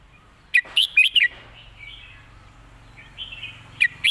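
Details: Red-whiskered bulbul singing in the 'mae bot' style: a brisk four-note whistled phrase, a low steady hum behind, and the next phrase beginning at the end.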